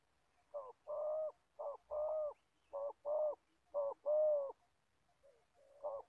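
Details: A spotted dove used as a decoy for trapping gives four low, mellow coo phrases, each a short note then a longer, fuller one, about a second apart, in a quiet setting in Gia Lai, Vietnam.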